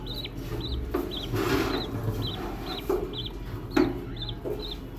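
Budgerigar chicks give thin, high peeping calls, repeated roughly twice a second.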